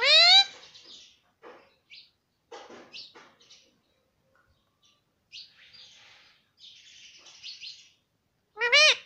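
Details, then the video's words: Talking parrot kept as a pet, repeating mummy and papa: a loud harsh call opens, followed by soft clicks, short chirpy syllables and murmurs, and a second loud strained call closes. "parrot talking || nonstop talking mummy papa"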